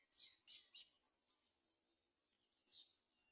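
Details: A few short, high, squeaky great myna chirps at a nest, where a chick is close to falling and the mother does not help it: three close together at the start, one more near the end, over faint hiss.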